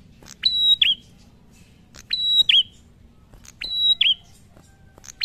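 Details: Prinia giving ngalun-style song reported to draw other prinias into singing; three clear phrases, each a click, a sustained level whistle and a falling slurred note, repeated about every one and a half seconds, plus a final click.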